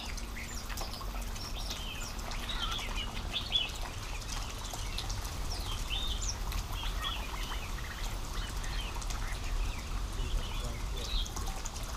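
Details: Red-whiskered and Chinese bulbuls at a hillside bush pond on Lamma Island, Hong Kong, 28 November 2015, give short bright chirps and scratchy notes, irregularly, over a low rumble of water and wind, with wing flutters.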